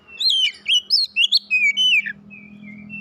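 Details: First-place white-rumped shama (kacer) at a singing contest: six loud, rich whistled phrases in quick succession, each swooping up and down, then a thin sustained whistle over a low hum.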